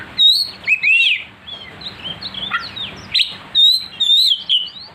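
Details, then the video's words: Oriental magpie-robin song used as a lure to provoke other magpie-robins into aggressive singing: loud, sharp whistled phrases, rising and falling slurs and high squeaky notes in bursts separated by short pauses. "pancingan Kacer agar emosi"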